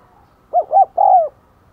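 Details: Spotted dove decoy calling to lure wild doves: three hollow coos, two short then a longer falling note, over faint background noise.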